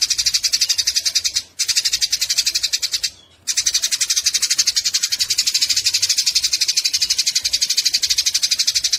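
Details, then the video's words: Fighting Eurasian tree sparrows give a harsh, dense, high chatter, pulsing about four times per second, with two brief breaks in the stream. "Masteran burung gereja tarung"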